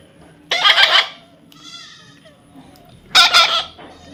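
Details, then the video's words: Baby parrot giving two harsh, buzzy screeches about two and a half seconds apart, with faint tonal sounds between them. "natural funny parrot sound"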